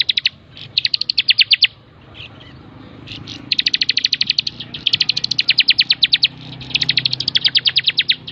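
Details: Bar-winged prinia singing actively, recorded to train other birds: repeated rapid trills of sharp, high clicking notes, growing longer and almost continuous toward the end.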